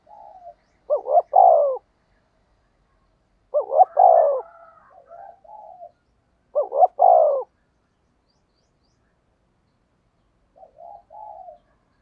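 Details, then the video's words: Spotted dove giving a decoy 'thúc gù' coo to lure wild doves: low, hoarse three-part phrases, two quick notes then a longer drawn note, repeated about every three seconds, with soft murmured coos between. No other sounds. "tiếng chim cu gáy thúc gù hay nhạy bổi, bổi nghe rất xiêng gáy"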